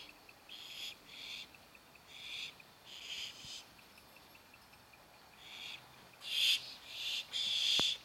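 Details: Young barn owls begging while they wait for dinner: rasping hisses in uneven bursts, growing louder and harsher toward the end, with one sharp click.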